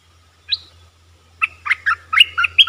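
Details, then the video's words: Red-eyed bulbul, a wild bird answering a caged decoy. A lone upward note comes first, then a longer run of seven or eight bubbly, chattering notes over a low steady hum. "Suara pikat merbah lekir"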